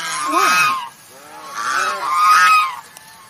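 A swan gives two or three nasal, trumpeting honks, each drawn out for about half a second, with a brief pause between them.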